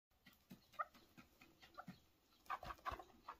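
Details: A chukar partridge gives short, clucking chuk notes, irregularly spaced, quickening into a burst of several notes near the end.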